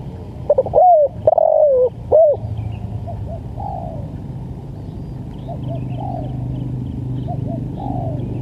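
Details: Spotted dove cooing, used for training and luring birds: three low hooting coos in quick succession, then fainter distant coos repeating, over a constant low hum.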